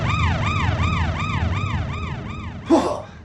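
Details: A wailing siren sweeps up and down about twice a second over low traffic rumble, ending in a short noisy burst.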